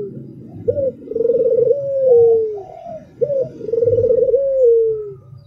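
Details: Albino Barbary dove song: a quick rising note, then a long tremulous coo descending at the end. Two phrases, with a fainter overlapping coo and low background rumble.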